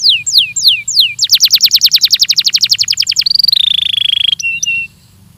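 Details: Training song of a Belgian canary: a few slow descending whistles, a long accelerating series of sweeping notes about five per second, then a level whistled trill and two short notes.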